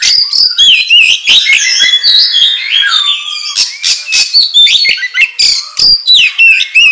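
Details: Oriental magpie-robin singing energetically as a training lure for other magpie-robins: a dense, loud medley of whistled slurs, rising and falling notes and sharp clicks, delivered in rapid bursts about three per second.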